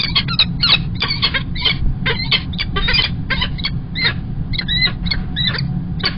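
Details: Peregrine falcon at Kingston College, UK, on 1 March 2021, the male arriving with an early breakfast. Harsh, clipped calls repeat rapidly in an uneven series over a steady low rumble of background noise.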